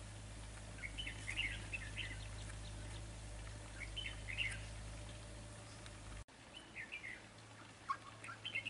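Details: Red-whiskered bulbul at a decoy trapping site, repeating lively warbled phrases of several quick notes, with faint further calls after a brief cut and a low hum below.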